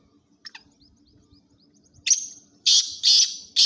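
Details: Kala titar (black francolin) of the chakri tournament type. Faint clicks come first, then a sharp rising note and three loud, rasping, broadband bursts about a third of a second apart.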